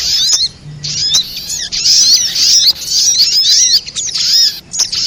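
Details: High, sharp chirping of spiderhunter from a lure track for trapping, with bursts of thin squeaky notes, some sweeping down, broken by short pauses.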